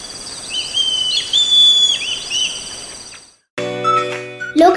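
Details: Legge's hawk-eagle gives high, thin whistles slurring up and down over steady hiss, followed by a burst of music; Sri Lanka.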